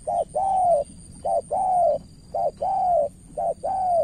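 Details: Hollow cooing from a spotted dove used to lure a seasoned opponent in Cà Mau, Vietnam. Four evenly spaced pairs, each a clipped note followed by a longer sagging one, over a faint high-pitched whine.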